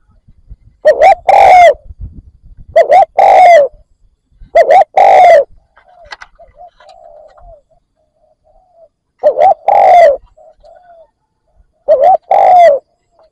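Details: Spotted dove used as a decoy for wild doves, giving four loud, rich phrases of coos: short looped notes and a long falling coo, repeated every two to four seconds. Quieter soft coos come between phrases.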